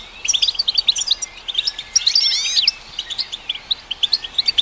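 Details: European goldfinch song played to stimulate goldfinches, spaced bright chirps broken by a quick cluster of sweeping slurred notes, then steady chirping again.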